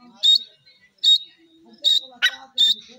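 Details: Grey francolin (teetar) giving loud, shrill, high notes repeated about every three-quarters of a second, with one short harsh rasping burst between them and a faint low hum underneath.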